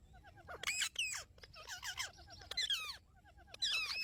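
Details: Pet Indian ringneck parrot in its first talking session with its owner: rapid chattering of squeaky, falling whistled notes and short harsh bursts, clustered in quick runs over a low background hum.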